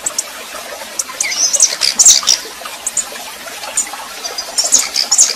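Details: Female red-pileated finch singing like a male while warming up: short bursts of high, thin twittering chirps, mostly very high-pitched, in two brief phrases over a steady hissing, trickling background.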